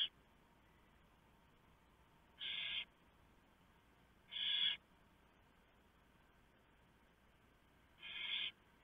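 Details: Nest of barn owls before dawn on 3 November 2015, with prey delivered by the male and owlets fed; three breathy, rasping screeches about two seconds apart against quiet background hiss.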